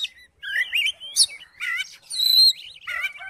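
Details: Kacer (Oriental magpie-robin) song used to coax a rival into singing: fluid rising and falling whistles, sharp high chips and a ringing high note, in lively continuous phrases.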